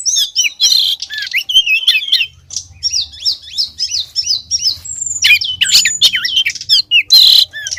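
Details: Lure recording of a female oriental magpie-robin calling the male: rapid repeated chattering chirps and bent whistled notes in quick runs, then harsh broadband bursts, with a faint low hum in the background.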